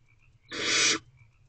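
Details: Barn owl owlets lined up together in a nest box at 1:31 am; one harsh, broadband hissing screech lasting about half a second, with faint quieter hisses before and after.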